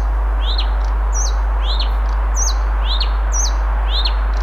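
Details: Song of a Blyth's reed warbler recorded in Moscow, Russia, June 1, 2021: bright rising-then-falling whistled notes alternating with higher slurred phrases, about every half second, against a low constant hum.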